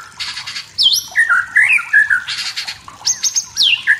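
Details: Wild forest white-rumped shama singing to provoke rivals, with varied phrases: high whistled slides dropping sharply, lower warbled notes, and bursts of harsher buzzy sound between them.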